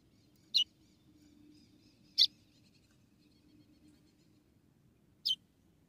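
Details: Female white-throated seedeater, Rio Grande do Norte, Brazil, calling to excite the male: three brief, high, clean chip notes spaced one to three seconds apart against a faint constant hum.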